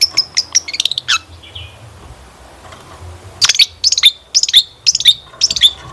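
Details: Long-tailed shrike song played as a lure to set other birds singing: high sharp chirps and clicks, a brief pause, then a run of repeated bright chirping notes with piercing whistled edges.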